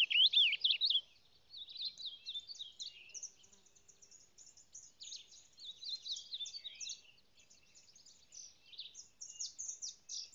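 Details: Diuca finch singing: a loud opening phrase of clear slurred whistles, then a long, faint, rambling run of high twittering and chipping notes.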